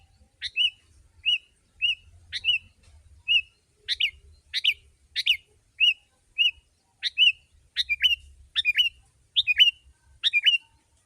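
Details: Energetic sooty-headed bulbul song meant to attract wild birds: bright whistled notes and louder burry double phrases alternating at irregular intervals, with quiet low rumble in the background.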